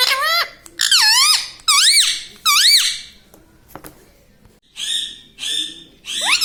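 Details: Indoor pet parrot copying human speech, its repertoire including mummy, papa and radhe radhe; loud, raspy syllables with up-and-down pitch sweeps are repeated in a clear rhythm, separated by a short quiet gap.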